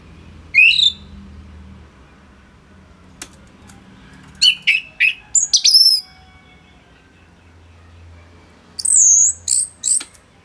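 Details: Orange-headed thrush (anis merah) singing steadily, kept as a trainer for other birds: a high slurred note, a pause, then clusters of sharp chirps and a final run of high squeaky whistles over quiet background hum.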